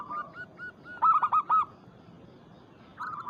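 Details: Local zebra dove, lure recording meant to call out a rival. Several quick, ringing cooed notes form a tight burst in the middle, with softer single coos before and a brief fresh phrase at the end.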